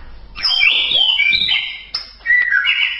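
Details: Loud song of a white-rumped shama from a tutoring recording: rich, varied whistled phrases with sweeping slurs and rising and falling notes, broken by a brief pause, then a sustained warbled phrase.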